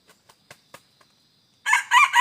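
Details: Red junglefowl at a decoy site, 2 November 2021: five sharp wing claps in a row, a short pause, then a loud rasping crow that begins and is cut off after two phrases.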